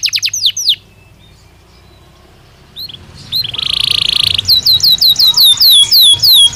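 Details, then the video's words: Belgian canary singing, used to train other canaries to sing: rapid high descending whistled sweeps, a short pause, then a steady buzzy trill followed by repeated downward-slurred notes. "Som de 1 Hora com Canario Belga Cantando Naturalmente"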